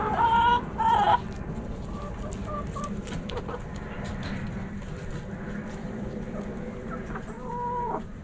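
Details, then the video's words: Backyard rooster and hens: two short, flat harmonic crow notes open the recording, then soft scattered clucks and a final drawn-out call near the end, over steady background hum. "Backyard Chickens Fun Relaxing Video Sounds Noises ASMR Hens Clucking Roosters Crowing!"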